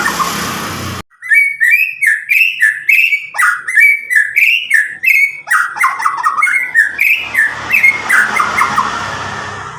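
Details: White-rumped shama from Medan, a caged bird about nine months old, just past its juvenile plumage, singing loud clear phrases used to stimulate young birds; a rapid run of rising whistled notes, about three per second, with a noisy start.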